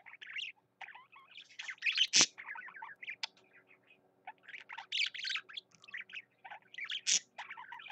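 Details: Pet parakeet (budgerigar), male, in full song: bursts of fast chattering warble mixing chirps, squeaky notes and clicks, separated by brief pauses, with one loud sharp click.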